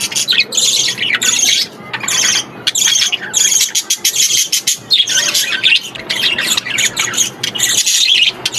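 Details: Young budgerigars, seemingly kept in an aviary, making rapid harsh scratchy squawks in short bursts about every half second, with brief pauses between runs of noisy overlapping chirps.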